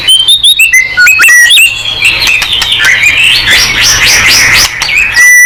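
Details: White-rumped shama in vigorous song, used to make shamas respond: opening run of clear, stepped whistled notes, then a blurred wash of overlapping chatter and warbling.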